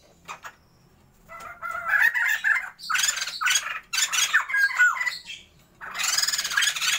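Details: Sumatran white-crested laughingthrush pair, captive for a breeding attempt, in a noisy chorus of harsh cackles and squawks mixed with short whistled phrases, coming in rapid bursts with brief pauses.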